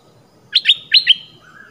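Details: Red-whiskered bulbul, southern Thai type, lure sound; four crisp chirped notes in pairs within about half a second, followed by a faint soft whistle.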